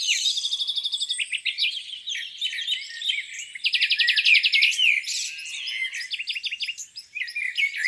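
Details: Several birds singing on a spring morning at a lake: a pulsed chattering series, a fast buzzy trill, sharp chirps and whistled slurs layered over one another.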